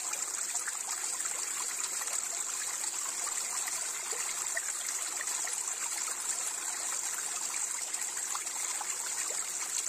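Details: Continuous rushing, trickling water with a steady high hiss, with no birdsong heard.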